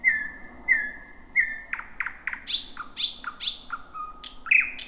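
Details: Singing at night from a bushy thicket, a thrush nightingale, first of 2026, gives repeated flat whistles topped by high notes, then a sequence of sharp clicks and descending slurs.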